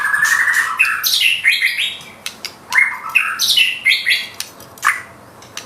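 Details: Murai batu, the white-rumped shama, in gacor nembak singing with isian: loud bursts of whistles, slurred notes and harsh chattering come in quick groups, then softer spaced notes, over a low steady background hiss.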